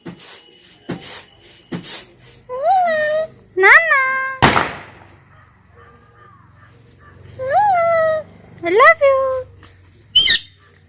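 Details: Two pet talking parrots. Short speech-like words with a rising then level tone and rich harmonics, in two bursts of two or three words, with clicks and a sharp bang between them and quiet pauses.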